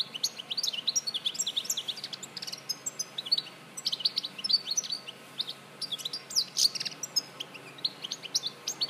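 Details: European goldfinch, Larache, Morocco, 2014: extended stream of rapid, tinkling high chirps, clicks and short trills, nearly continuous over several seconds.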